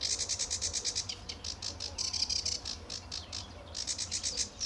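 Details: Early morning song of a sedge warbler at RSPB Fowlmere in July 2013: quick, regularly pulsed buzzy notes that speed up and slow down, forming a continuous high scratchy chatter.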